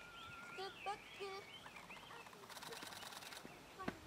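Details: Japanese bush warbler singing in the wild: a run of clear warbled whistles that rise and fall at a fairly high pitch for about two seconds, followed by a brief burst of rustling noise and a soft click.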